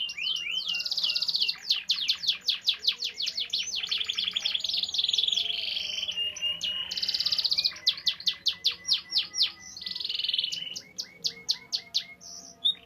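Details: Domestic canary singing as a master to train other canaries: fast high rolling trills, sweeping chirp series and buzzy sustained rolls, changing pattern every few seconds.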